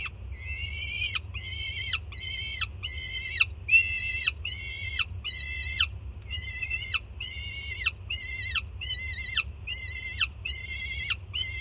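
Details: Excited begging screams of a juvenile peregrine falcon as its first-time mother brings breakfast to a Jersey City nest ledge, June 24, 2017; a long steady series of about fourteen harsh, flat, harmonic screams with falling ends, over low rumble.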